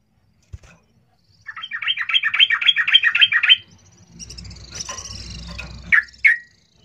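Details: Sooty-headed bulbul call played as a lure to draw a quick response: a fast run of rapid, bubbling chattering notes for about two seconds, then thin high squeaks over low rumbling noise and two final sharp notes.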